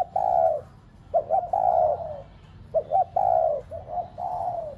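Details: Spotted dove kept as a decoy bird, cooing to stir pet doves to coo: mid-pitched phrases, each a pair of short quick notes followed by a long, slightly falling coo, repeated about every second with a low hum underneath.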